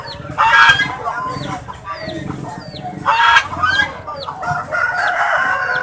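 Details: Swans in a pen calling: a couple of loud nasal honks amid a steady stream of high, thin, falling squeaky whistles and softer gabbling.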